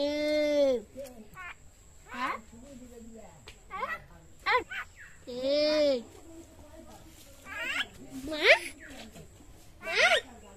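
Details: A talking common myna produces rich, nasal, voice-like syllables with strong harmonics, some drawn out and arching in pitch, others clipped, delivered in an uneven stream with short pauses.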